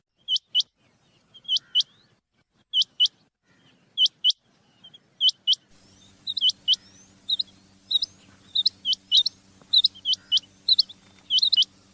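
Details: Rain quail, male and female, giving sharp, metallic double notes, about one pair a second; partway through a low electrical hum starts and more callers overlap. Recording is used as a hunting lure.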